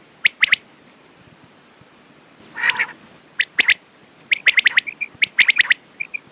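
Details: Quail calls meant for morning and night use: sharp, clipped notes in quick pairs and triplets, a harsh raspy burst near the middle, then a busier run of bright chips with short soft whistles.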